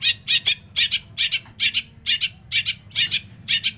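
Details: Harsh, energetic song of a long-tailed shrike, called cendet, delivering rough kasar phrases: rasping double notes in quick pairs, repeated steadily more than twice a second, with a soft low murmur underneath.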